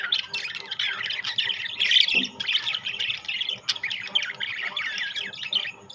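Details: Budgerigars, rainbow and classic forms mixed, twitter and squawk in a continuous, buzzy stream, with a louder peak around two seconds and a brief low thump.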